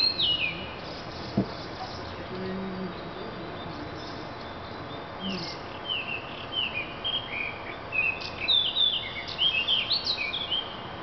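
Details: Thrush song with whistled, slurred phrases that build into a dense, rapid flourish in the last seconds; a faint low voice-like sound appears briefly early on.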